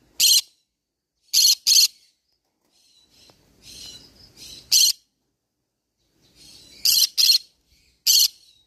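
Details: Green-cheeked conure (Pyrrhura molinae) singing, giving loud, harsh, high screeches in short bursts, singly or in quick pairs, with softer chatter in between.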